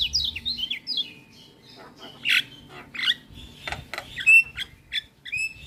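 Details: Black-winged myna training song to make a lazy bird sing: mixed warbled whistles and harsh chattering notes, with loud sharp chips and a bright high whistle toward the end.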